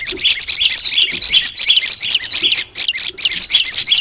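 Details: Olive-backed tailorbird song used to train the bird to sing freely: dense, fast high chirps and short rising whistles about twelve repeats a minute... rapid bursts run almost without pause, with a brief dip near the middle.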